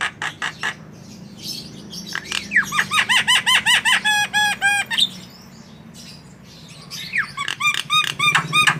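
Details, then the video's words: Javan myna singing vigorously on a training recording for cage birds: loud harsh squawks, then a fast run of repeated harmonic notes that fall and rise, ending in more rasping bursts. "Masteran Burung Jalak Kebo Gacor"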